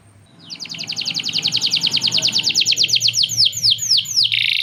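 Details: Canary singing a long, steady song tutored with lovebird 'ngekek' chatter. Fast bright trill of repeated notes, about two per second at first, speeding up, then ending in a sweeping buzzy burst. Faint low hum below.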